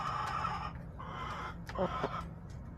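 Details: Backyard chickens on a homestead, recorded by a chicken camera on March 30, 2024: hens give drawn-out, harmonic clucks and squawks at mid pitch, followed by a few short sharp clucks, over a steady low hum.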